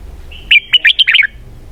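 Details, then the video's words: A single bright phrase from a red-whiskered bulbul: a thin lead-in whistle, then five rapid, loud, bubbling warbled notes, clear against a quiet background. "giọng hay cực xoắn kép"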